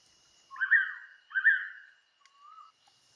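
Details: Blue-winged Pitta recorded on Koh Man-nai, Rayong, Thailand, giving one strong two-note whistled call, the notes slightly slurred and half a second apart, then a quiet level whistle, with a constant faint high-pitched hum behind.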